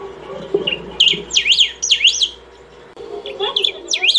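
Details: Saffron finch singing, a bird that sings nonstop for over twenty minutes to call or train: bursts of sharp, steeply rising and falling whistled notes in quick zigzag phrases, a pause, then another phrase, over a low steady hum.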